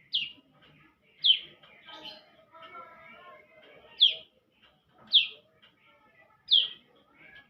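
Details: Young bar-winged prinia in lively song: loud, sharp downslurred high notes given singly at uneven gaps of one to three seconds, five in all, with faint lower twittering between them.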